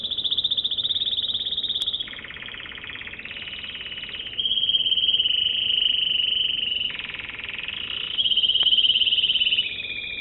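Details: American Singer canary producing long buzzy, rattling tours that shift between higher and lower pitches every few seconds, each section held steadily.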